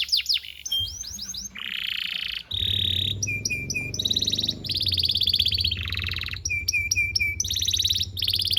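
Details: Domestic canary song used as tutor recording for training young canaries: quick changes between sweeping whistled trills, buzzy rattling tours and bright, rapidly repeated chip series, over a steady low hum.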